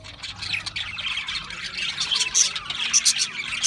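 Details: A group of Australian parrots chatters in a steady jumble of squeaky, warbling chirps. Brighter, louder notes rise out of the mix near the end.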